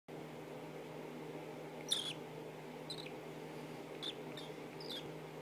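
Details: A hand-raised, affectionate cockatiel seeking cuddles and attention gives five short, high chirps about a second apart, the first the loudest, over a steady low indoor hum.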